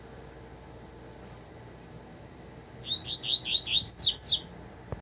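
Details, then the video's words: Double-collared seedeater singing a brisk phrase of about eight sweeping, slurred notes, repeated quickly and rising to higher, thinner tones at the close, preceded by a faint isolated high note. "Coleiro tuitui COMPRESSOR"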